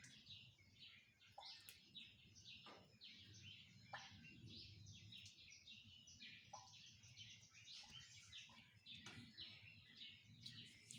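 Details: Birds singing in the morning: a dense, continuous chorus of high chirps and twitters from several birds, with occasional sharp downward notes, over a low rumbling background.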